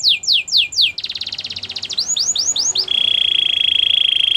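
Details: Singing canary in a training song: falling swept notes, a dense buzzy trill, a few rising swoops, then a long pure held whistle.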